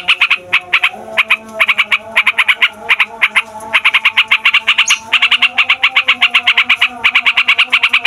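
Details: Yellow-vented bulbul song for provoking caged and wild songbirds: bursts of quick harsh notes in groups of three to six, joining into a steady fast roll near the end.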